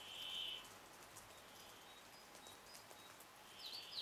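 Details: Pine grosbeak (Pinicola enucleator) in Finnish Lapland in June 2012 gives two brief, high whistled notes near the start and end over a steady background hiss; finding: Pine grosbeak.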